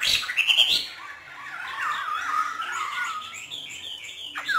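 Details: Hwamei raised by artisans in northern Vietnam, free 'hót thả' song: an opening high whistled burst, then a soft, meandering warble of wavy tones with faint high notes behind.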